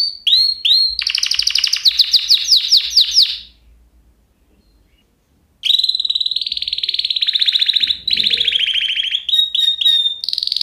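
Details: Canary singing loud rapid trills and repeated sweeping notes around high pitch, broken by a pause of about two seconds of near silence before the varied song resumes.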